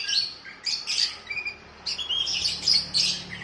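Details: Dense, energetic chattering and whistled song of an oriental magpie-robin for training a caged bird, set against a sooty-headed bulbul; harsh notes mixed with clear slurs, almost continuous, over faint hum.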